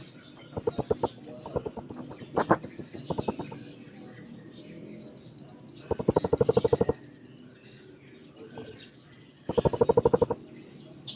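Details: A blue-crowned hanging parrot sings hard while looking for a rival. Bursts of very high, shrill, fast-pulsed trilling last about one to three seconds each, separated by short silences and one brief squeak.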